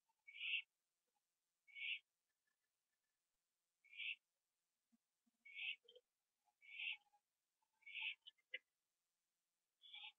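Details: Night-time owl, 11:15 PM on 21 September 2011, on a porch finishing a gopher before joining another owl in a tree: seven rasping, hissing screeches, first widely spaced then about once a second, with small clicks and scrapes.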